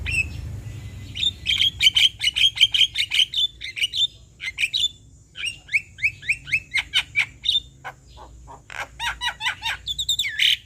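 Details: Male Javan myna song played as a lure for other mynas: a rapid series of sharp repeated clicking notes with short bright whistles, then scattered harsh chattering and a loud squawk at the end.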